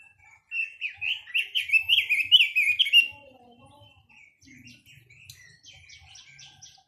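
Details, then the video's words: Chinese hwamei song opening with a loud fast string of rolling, up-and-down whistled notes for about two and a half seconds, followed by softer scattered chirps and short high notes. "Tiếng chim quế lâm"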